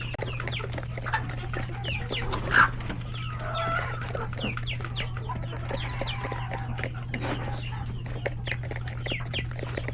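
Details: Chickens, roosters and lots of chicks at feeding time in their coop; continuous peeping and clucking, with one sharp loud note early and a soft drawn call midway, over a constant hum.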